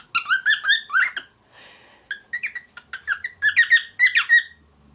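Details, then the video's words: Pet grey cockatiel aged seven months, learning to speak English indoors; fast strings of squeaky, slightly buzzy chirps, about three per second, broken by a short pause, with faint background noise. "Darwin The Cockatiel Learning To Speak English"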